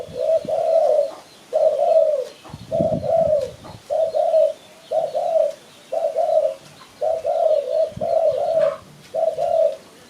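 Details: Spotted dove used to attract birds for trapping: evenly spaced pairs of gentle, mid-pitched coos, roughly one pair per second, with a short burst of low thumping near the third second.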